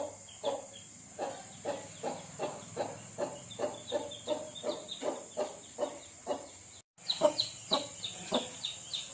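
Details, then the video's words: Chicks call from inside their eggs while a country hen hatches them: soft, short clucking peeps repeated about twice a second in a steady rhythm, over a constant high-pitched whine. "chicks makes sound inside the egg"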